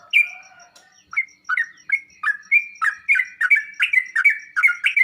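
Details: Sooty-headed bulbul song used to make kept birds respond and sing. A lower drawn-out note opens, then a quickening series of chirpy, bouncing phrases builds toward the end. A faint high ticking runs throughout.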